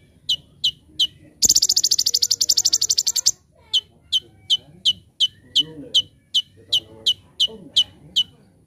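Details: Konin, the olive-backed sunbird, singing a 'full tembakan' training master: a few thin falling chips, then a loud rapid high rattle for two seconds, followed by evenly spaced sharp chips with faint low background chatter.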